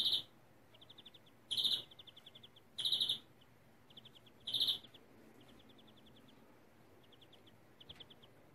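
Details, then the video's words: A European greenfinch sings in a stuttering style: loud, harsh chirps every second or so alternate with quick, high, bead-like trills of about eight notes, over faint hiss. "Flurya kekeme yelve kuşu"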